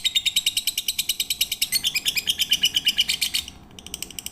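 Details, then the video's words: Lovebird in a tutor recording for training birds, intended for night-time: rapid, buzzy chattering notes repeated about three per second, high and bright, stopping abruptly near the end with a few faint notes after. "MASTERAN SUARA BURUNG LOVEBIRD COCOK UNTUK MALAM HARI FULL PIGTER"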